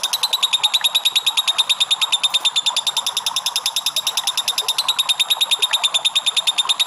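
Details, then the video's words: Lovebird delivering a long ngekek, a lure recording meant to set other lovebirds singing: an unbroken, rapid chattering trill of high, buzzy, evenly spaced notes, roughly eight per second, held steadily from start to finish. "PANCINGAN LOVE BIRD NGEKEK PANJANG"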